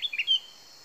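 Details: Sooty-headed bulbul natural lure call: a brief burst of three or four bright, bubbly chirped notes, high and quick, over faint background hiss.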